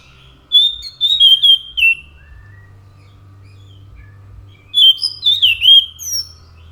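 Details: Scaly thrush (anis macan) in lively song: a string of bright whistled notes with quick slides, then a pause of about three seconds before another rising and falling whistled run.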